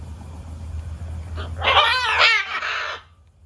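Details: Hormonal macaw meeting an indifferent macaw indoors: a loud, raspy, strongly warbling squawk of about one and a half seconds, wavering up and down, over a steady low mechanical hum.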